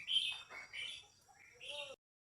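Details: A female red-whiskered bulbul singing to excite a male bird, with a run of bright slurred warbled notes in a continuous phrase that ends in a lower falling whistle. Faint background noise sits underneath.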